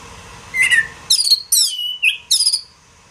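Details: Oriental magpie-robin (kacer) masteran song for training songbirds: a short, high whistled phrase, then several bright, sharply descending whistles and rapid high notes in quick bursts.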